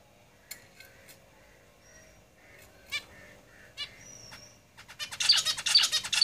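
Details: Caged zebra finches: sparse nasal calls and a faint thin whistle, then a loud, fast burst of buzzy, repeated song notes in the final second and a half.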